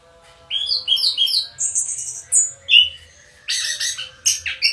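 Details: Orange-headed thrush, kept as a house bird, singing a varied string of clear whistled notes at changing pitches, then a burst of harsher, squeaky, scratchy phrases.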